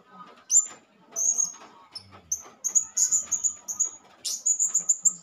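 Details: Blue-crowned hanging parrot, a male calling to provoke other hanging parrots, giving a run of very high, thin, sharp chirps, some doubled or in quick bursts, with faint low background murmur.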